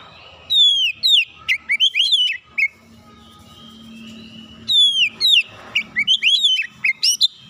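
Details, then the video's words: Oriental magpie-robin calling, sung as therapy song: two loud bursts of clear whistled notes, some sweeping down from high pitch, mixed with short chirps and slurred phrases, separated by a quiet pause of about two seconds. "Kacer memanggil"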